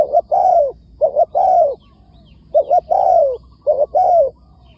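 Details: Spotted dove in the wild answering a decoy, repeating a clear phrase about once a second: two short coos and then a longer descending coo.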